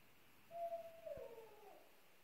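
An owl gives a single soft, hollow hoot, steady and low-pitched, lasting about a second over a quiet background.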